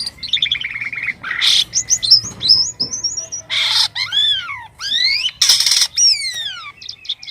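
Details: White-vented myna in full, strange-sounding song: descending whistled note series, bursts of harsh noisy squawks, and clear downward-arching whistles repeated in sets, with brief gaps between phrases.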